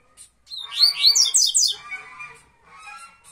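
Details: The song of a Bahia double-collared seedeater (tuituí type): a fast burst of sharp, sweeping whistles and buzzy notes, followed by softer twittering.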